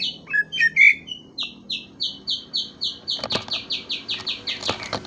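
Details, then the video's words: Greater green leafbird: a few varied whistles open into a long, steady train of high, down-slurred notes repeated about four times a second, with clicks in the background. "KICAU BURUNG CUCAK IJO"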